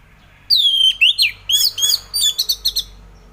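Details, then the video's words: Orange-headed thrush singing, played as morning therapy for thrushes reluctant to sing: sweeping whistles dropping in pitch, then a rapid series of short sharp warbled notes. "Kicauan Anis Merah || Ngeplong Santai"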